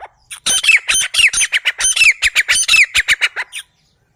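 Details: Sindhi teeter, a grey francolin, recorded for hunting: a fast burst of grating, squawky notes, some with a sharp downward slide, repeats in a tight rhythm for about three seconds before ending abruptly.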